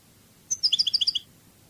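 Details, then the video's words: Cádiz-style European goldfinch song from a training recording: a single quick burst of about eight bright, liquid twittered notes, evenly paced, against a soft background hum. "CD CANTO DE JILGUERO CADIZ شريط لغة الحسون الإسباني قادس"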